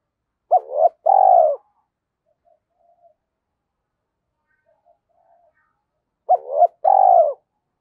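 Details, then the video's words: Spotted dove lure coo recorded in Vietnam: two phrases about six seconds apart, each quick double hoot running into a long falling coo, with faint soft notes in the gap. "tiếng chim cu gáy kích bổi hiệu quả"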